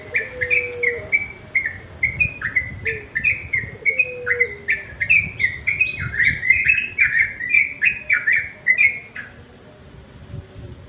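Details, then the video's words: Sooty-headed bulbul in steady song: a lively stream of short, sweet whistled notes, some doubled, running for about nine seconds before stopping, with a faint low whistle early on. "remang² trucuk.suara asli.."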